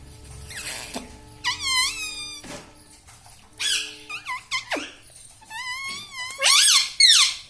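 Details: Pet green parrot at home that says "mummy", "papa" and "radhe": a string of shrill, harmonic, word-like syllables that slide up and down, with a faint steady hum in the background and louder final calls.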